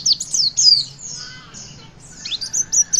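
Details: Javan white-eye singing to encourage young birds to sing, thin high whistles and sliding chirps in short bursts separated by a quiet gap, faint hum beneath.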